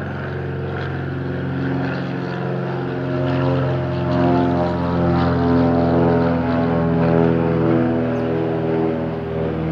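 Steady droning of a propeller aircraft fills the recording throughout, a deep layered engine hum with no animal voice heard.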